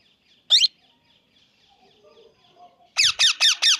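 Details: Plum-headed parakeet calls: one isolated shrill falling squawk, a quiet gap with faint low murmurs, then four more loud, high, downward-sliding notes in quick succession.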